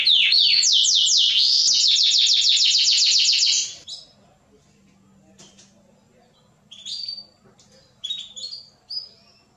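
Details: A mosaic canary (Belgian canary) sings a loud, fast trilling song of rolled notes, about four a second, for nearly four seconds, then a few short high chirps; the song is used to stimulate mating and to teach chicks.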